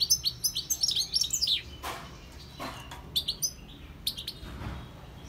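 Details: Wild European goldfinch (Carduelis carduelis) in song, opening with a rapid run of bright, tinkling twitters, then pausing before shorter clusters of sharp, high chirps return. A faint low hum runs underneath.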